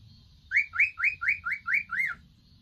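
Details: Three young male cockatiels at home, idly calling; a string of seven loud upslurred whistles, each sweeping upward then bending down, about four per second, over a faint low rumble.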